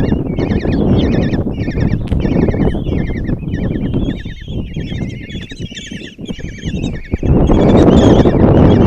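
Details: Five Common kestrel chicks in a nest box at Tiszalök, Hungary, on the morning of June 26, 2024 give shrill, rapid, overlapping chittering begging calls as their mother brings breakfast and feeds them, over a steady low rumble of wind.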